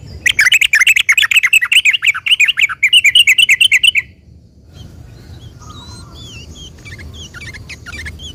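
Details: Sooty-headed bulbul, a long-trilling singer used to prompt other bulbuls to reply: a dense rapid chatter of buzzy chirps for about four seconds, then quiet with a few thin distant whistles.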